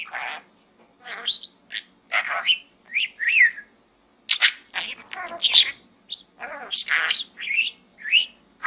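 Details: Pet budgerigar talking from inside a small gourd: a steady run of short chattering syllables, scratchy warbles and rising whistled chirps, with brief gaps between bursts.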